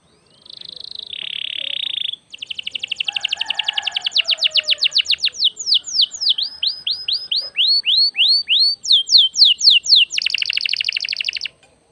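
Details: Canary singing energetically, a lure recording meant to stir other birds into song: a long varied run of rapid trills, fast repeated downward-swept whistled notes, buzzy rolls and a closing dense trill, all high and bright.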